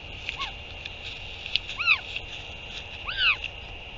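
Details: Northern royal albatross recorded on 8 June 2023 as a parent returns to feed its chick; two loud arched, rising-then-falling calls with a fainter short one earlier, over a steady background hiss.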